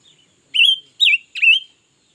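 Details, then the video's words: Red-billed leiothrix, a new bird that keeps singing all day. It delivers three strong, clear, warbling phrases about half a second apart, each rising then dipping, after a soft introductory note. "Suab noog nrheeb tshiab quaj lam lug le || Ngũ sắc mới hót cả ngày luôn"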